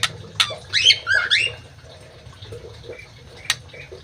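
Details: Caged Crewet in an Indonesian aviary producing a short run of sharp, sliding chirps and a few quick rising notes early on, followed by scattered faint ticks and clicks over a low hum.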